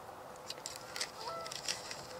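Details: Canada geese, unseen and vocalizing near gadwalls and northern shovelers, give a few faint, nasal honks with a brief tonal note, set against a steady hiss of background noise.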